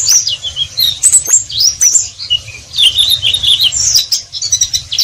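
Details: Oriental white-eye singing ngeriwik-style: lively runs of high, thin slurred whistles and chirps in two main bursts separated by a brief lull, with scattered sharp clicks and a low hum underneath.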